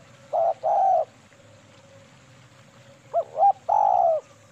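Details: A female spotted dove, used as a lure call, gives low, soft coos: two hollow notes, a pause, then a quick double note that runs into a long, drawn-out coo, over a faint steady hum.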